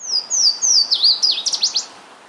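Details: A Louisiana Waterthrush singing on territory in Boxford, Massachusetts, in April 2018: three clear, high, downslurred whistles, then a quick jumbled burst of twittering notes dropping at the end. Faint background hiss.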